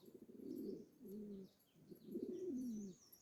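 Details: Black male Pomeranian fancy pigeons kept as pets: low, throaty cooing in three rolling phrases, each about a second long, with faint high chirps from other birds in the background.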